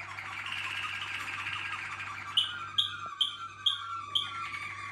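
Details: Waterslager canary song: a smooth rolling tour gives way to bright, bell-like notes repeated roughly every half second, over a low electrical hum.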